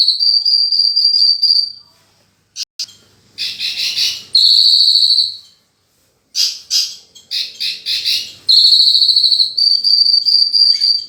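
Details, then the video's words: Horsfield's bush lark singing in lively, fully filled-in style: long high sustained trills broken by bursts of harsh clustered notes, brief silences between phrases, and the trill returning at the end. "Burung Branjangan Gacor full isian"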